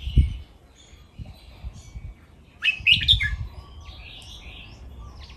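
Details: Caged red-whiskered bulbuls in playful training song: a rich phrase of three or four loud chirped whistles in the middle, soft warbling around it, and low knocks in the background.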